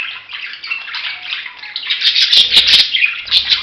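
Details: Busy budgerigar chatter of high squeaky notes that grows louder halfway through, joined by sharp clicks and low knocking sounds.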